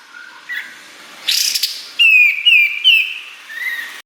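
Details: Kapas tembak singing sharp fills for songbird training; soft notes and a brief harsh burst lead into three loud downslurred whistles and a softer closing note.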